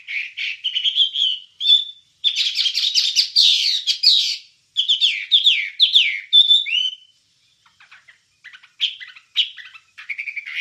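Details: ['Wambie song used as a master recording for training songbirds: rapid, varied chattering phrases of trills and warbled notes with rising and falling whistles, broken by short pauses and a quieter stretch near the end.']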